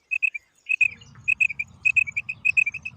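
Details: Female quail uttering bright, abrupt notes in twos and threes, first alone, then over a low droning hum.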